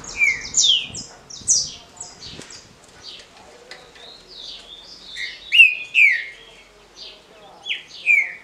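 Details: Green-winged saltator, a caged bird with a short smooth Paraná-style song meant for competition circles, gives loud downward-sliding whistles in clusters, with a pause between, while many thin high chirps of other small birds fill the background.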